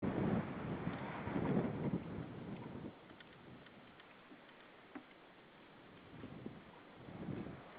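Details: Gusting wind rumbles against the microphone in bursts, with faint ticking knocks and no animal voice.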